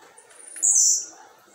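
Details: A single strident, high-pitched buzzy note falling slightly in pitch, sung by a captive Blue-black grassquit set outdoors on a Tuesday afternoon.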